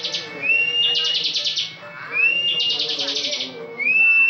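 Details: Bar-winged prinia in full 'ngebren' song: each phrase opens with a rising thin whistle and breaks into a pulsing buzzy trill, repeated three times. A bird that often wins national contests.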